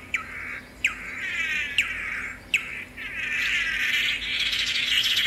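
Swallow-tailed manakin: sharp, clicking notes about every second over a continuous high, buzzy warbling that swells louder toward the end.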